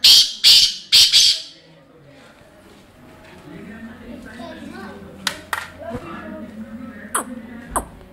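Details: A black francolin in Wah Cantt gives four loud, harsh, grating call notes in quick succession, followed by low voices, a hum and scattered clicks.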